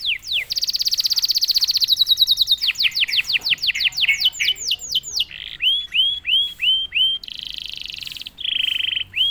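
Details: A canary prompted into song after being silent sings long, fast buzzy trills of descending high sweeps, then a run of rising upslurred whistles and a final buzzy rolled trill.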